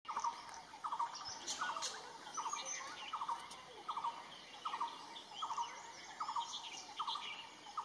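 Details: Red-billed blue magpie in Himachal Pradesh, India, giving short, harsh, grating bursts, repeated roughly every second at a steady pace; thin chirps of other birds and a high insect-like whine behind.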